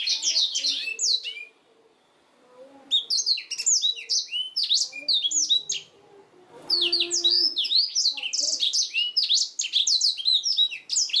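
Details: Black-throated canary singing a gacor master song for training canaries: rapid bursts of high, sweeping chirps and trills, broken by two short pauses near two and six seconds.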